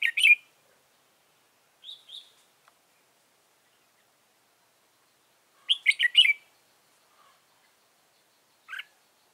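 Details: Red-whiskered bulbul used as a trapping decoy, November 2017: short loud warbled phrases of three to four chirps, separated by long silences, with a couple of softer single notes between them.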